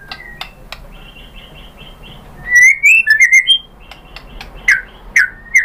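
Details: White-rumped shama (murai batu) song used as a lure to draw answers from other shamas: soft clicks and short high whistles, then loud slurred whistled notes rising and falling in quick bursts, with a low background hum.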